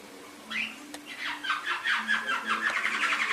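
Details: Master song for training a kept canary in Indonesia: after a brief opening note, a run of quick repeated syllables, each sliding down, building into a dense rolling phrase.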